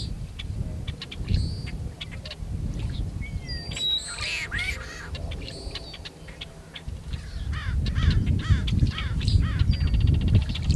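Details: Male tricolored blackbird singing and calling near Kern National Wildlife Refuge, California, on February 26, 2003: harsh, nasal bursts and short buzzy notes in irregular rapid series, over a steady low rumble of wind or distant noise.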